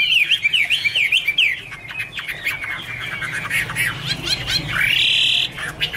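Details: Chinese hwamei opening with a rhythmic run of repeated zigzag whistles, then breaking into harsher chatter and a sustained loud whistled note near the end.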